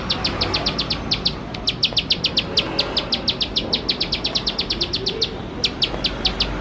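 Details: Bar-winged prinia in energetic 'nembak-nembak' song, used as a lure to get birds singing: dense run of crisp high chips in short bursts separated by small gaps, with low rumbling noise underneath.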